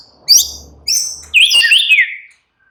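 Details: Short bursts of white-rumped shama song, murai batu in relaxed mode: two quick bright high notes, then a rich warbling phrase, with a faint low hum behind.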